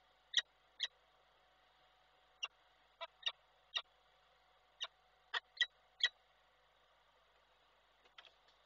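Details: Calling to the female, a male peregrine falcon at a webcam site in Koszalin, Poland, 12 December 2023, gives about eleven sharp chips in irregular clusters, then falls quiet before a last faint note.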